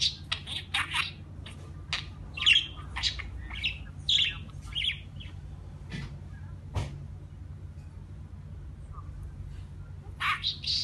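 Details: Pet budgerigar warbling in quick scratchy chirps and whistled squeaks for about five seconds, then near silence with a couple of soft clicks, before a final burst of chatter; faint hum throughout.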